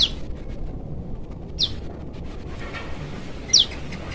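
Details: Young wild prinia from the forest calling its parent: three short, sharp, downward-sweeping high chirps spaced about one and a half to two seconds apart, over a low steady background hiss.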